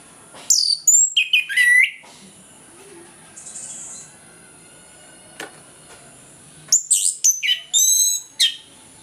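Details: Morning song of an orange-headed thrush, used to coax sluggish birds into singing fully. Two bursts of sharp, high, descending whistled phrases at the start and again near the end, with quiet pauses between them.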